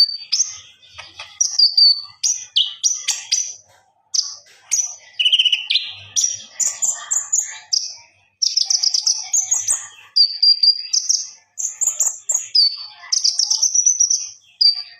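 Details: Common iora singing vigorously (gacor) to the point of ngobra, recorded as a master for song training: a fast, varied run of high whistled notes and sharp downward sweeps in quick bursts, with short pauses between phrases.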